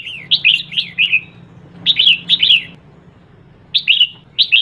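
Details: Female red-whiskered bulbul calls to stir up males: sharp, clear whistled notes in quick clusters of three to five, rising and falling, with a silent gap mid-clip and faint low hum.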